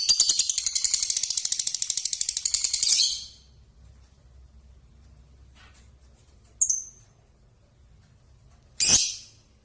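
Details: Six-month-old Balibu Pasjo lovebird giving a rapid buzzy chattering burst for about three seconds, then silence broken by two short high chirps.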